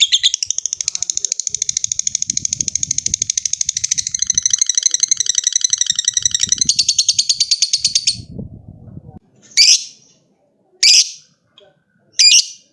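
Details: Lovebird in a long ngekek trill, calling out to a rival: about eight seconds of dense, rapid high chattering that speeds into a buzzier rattle, followed by three separate harsh squawks with faint low rustling beneath.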